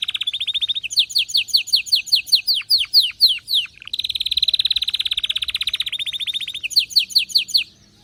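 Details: Canary in an excited, fired-up singing mood. Alternating tours: rattling fast trills and runs of clear downward-sweeping notes, with a long buzzing roll in the middle and a brief pause at the end.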